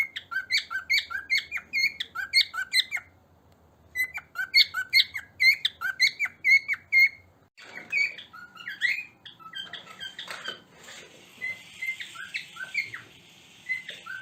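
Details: Grey or silver cockatiels in a flock calling and singing give rapid, repeated squeaky chirps and whistled notes in bursts, with a pause between them.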